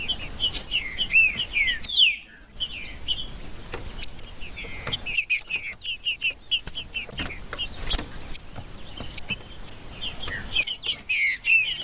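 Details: Singing male green-winged saltator, used to warm up other saltators: long run of rapid whistled, slurred notes repeated in lively bursts with a short break, over a steady high ringing tone like an insect.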